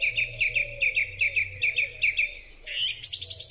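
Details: Song thrush singing in spring, recorded on a Huawei P30 Pro phone: a clear high note repeated rapidly about a dozen times in a steady series, then a brief buzzy flourish, over a faint low hum.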